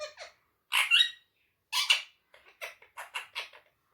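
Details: Indoor pet parrot speaking Urdu/Hindi words, two loud harsh bursts followed by a rapid string of squeaky, chattering syllables.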